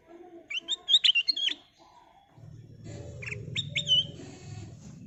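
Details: ['Kutilang emas bulbul in lure song: a rapid chirping whistle phrase, then further whistles with a falling slur. Low hum is heard in the second half.']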